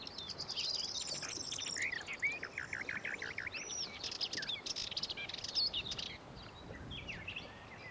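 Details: A Sardinian warbler (Sylvia m. melanocephala) at Lake Kerkini National Park, Greece, in April 2024 gives a fast, scratchy chatter of dry rattling notes and quick high chirps for about six seconds, over faint hiss.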